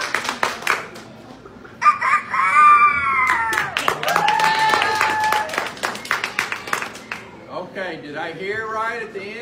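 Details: Roosters from the final three of a 2019 chicken festival crowing contest give long harmonic crows with a drawn-out falling end, amid applause, clapping, speech and music.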